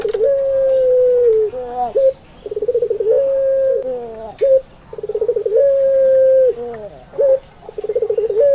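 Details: Puter Pelung Barbary dove singing as a lure to make shy doves answer: repeated phrases of rapid pulsed low notes, each running into a drawn-out steady coo. Short bent notes come between the phrases, about every three seconds.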